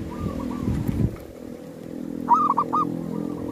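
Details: Zebra dove at a cemetery, a bird used to lure wild doves. One clear cooing phrase of a few quick mellow notes ending in a short roll. Fainter coos sound at the start and end over a low engine-like rumble.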